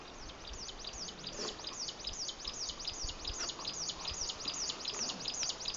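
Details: Adult Chinese leaf warbler singing on territory at Old Peak, Hebei, China: a fast series of very high, thin, downslurred notes repeated about two or three times a second, steady and even, over faint background noise.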